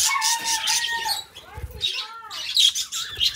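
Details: A pair of pet budgies chatter: a drawn-out nasal whistle gives way to scratchy high twittering, short squeaks and a few low knocks, with a bright chirpy burst near the end.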